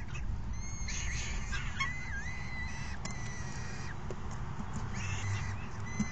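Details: Falcon chicks noisily begging while an adult brings in a meal and another parent feeds the raucous brood, recorded 3 June 2018; thin whistled, wavering squeals with harmonics, several overlapping cries, over a steady low background rumble.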